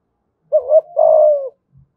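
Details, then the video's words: One cooing phrase from a spotted dove in Đồng Nai, 'thúc gù giọng thổ' style: a short wavering rising coo, then a sustained hollow hoot gliding gently downward, clean and quiet around it. "Chim cu gáy thúc gù giọng thổ bài bản nhất Đồng Nai"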